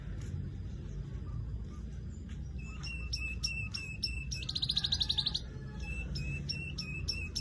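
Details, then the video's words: Weaver call of sharp, high chirps repeated irregularly, with a rapid buzzy high trill lasting about a second midway, over low steady background noise. "Crecet .. Cret ..!! SUARA PANGGILAN BURUNG MANYAR"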